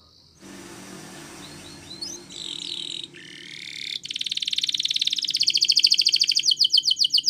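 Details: Belgian canary in morning song: after a hissy, noisy start with a few faint chirps, bright rattling trills build from the midpoint and grow louder into rapid repeated high notes.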